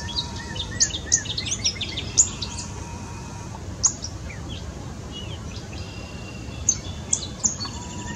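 A gray catbird gives a loose run of short, varied chirps, squeaks and high sharp notes in an irregular sequence, over a steady low outdoor hum.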